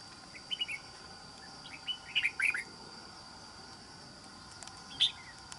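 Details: Wild-caught red-whiskered bulbul kept as a trapping decoy, praised for a good wild island-forest voice; a few short, bright chirped phrases at high pitch, scattered across a few seconds against a steady faint background hiss.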